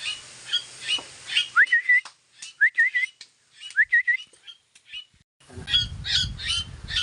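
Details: Mynahs kept as pets with crows give three clear whistled phrases, each rising sharply and then wavering, separated by short chatter. Harsh squawks and rustling noise follow at the end.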